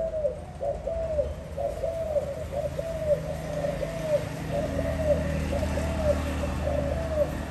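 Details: Spotted dove recorded in 2021, giving soft, hollow coo notes repeated about once per second in a steady series, each with a slight rise and fall, over a low background hum.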